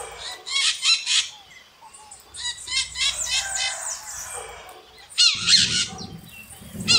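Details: Maritaca parrots screaming: harsh, raspy squawks in quick stuttering bursts, the first near the start, then a longer run in the middle, and shrill bursts again toward the end, with quiet gaps between.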